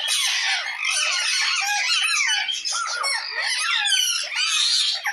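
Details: A parrot calls out to another parrot, giving a steady, unbroken stream of shrill, raspy squawks mixed with bending whistled squeaks, all loud and high-pitched throughout.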